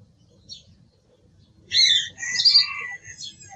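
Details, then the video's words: A song thrush delivers one rich, layered phrase of overlapping high and mid-pitched notes lasting over a second, after a brief faint note and near silence. "Sonido del Zorzal Comun - Sturz cantator - TURDUS PHILOMELOS"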